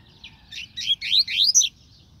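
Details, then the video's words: Double-collared seedeater song: a quick run of short chirped notes climbing to sharp, rising whistled slurs, growing louder toward the end of the phrase. "Coleiro canto top"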